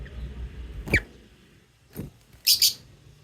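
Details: Singing lovebirds: a single shrill squeak, then a softer one, and finally a quick double chirp, all high and sharp over a low background rumble.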